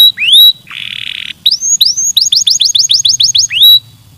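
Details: Canary song played to stimulate singing: clean whistled upslurs rising to a high steady note, a buzzy rattle, then a fast run of repeated rising chirps about ten times, ending on another whistled upslur.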